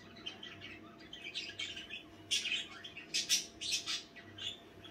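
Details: Budgerigars chattering at night: dense bursts of scratchy, high chirps and squeaky warbles, some sharp squawk-like notes, tumbling irregularly over about five seconds against a quiet background hum.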